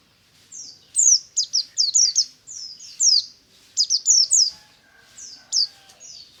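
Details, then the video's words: A morning white-eye (pleci buxtomi) in ngalas song, a lure for other white-eyes, gives rapid, tumbling series of high, sharp, falling whistles in two main bursts over near silence. "BURUNG PLECI NGALAS DI PAGI HARI"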